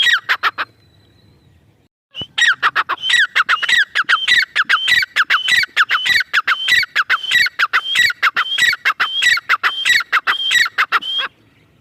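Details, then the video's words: Female grey francolin (Dakhni teetar) calling: a short harsh note, a two-second pause, then a fast, steady run of loud, grating, squawky notes, about 97 a minute, for nine seconds before stopping abruptly. "Dakhni teetar awaz | teetar voice | female teetar sound | teetar ki boli"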